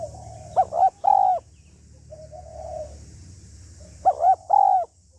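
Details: Female spotted dove calling to stimulate a male, in the full 'hạp bổi' voice set of calling, urging and cooing: two loud, ringing three-part coos a few seconds apart, with soft low coos and a faint low hum between.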